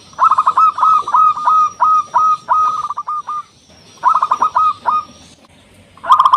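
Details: Local zebra dove with a big voice, played to call in and provoke rivals; two long runs of staccato coos ending in drawn-out hooked notes, and a new burst starting at the end.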